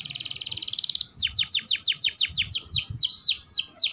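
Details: Canary from a masteran track for training young and adult canaries: a dense buzzy trill for one second breaks into a regular chain of loud plunging whistles, roughly three per second, over soft low background noise.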